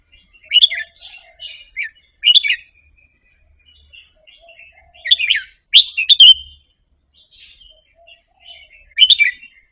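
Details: Caged Indonesian red-whiskered bulbul softly practising a doubled-phrase song meant to stimulate other birds. Irregular bursts of sharp bright chirps alternate with soft twittering, and the loudest pairs come near the middle.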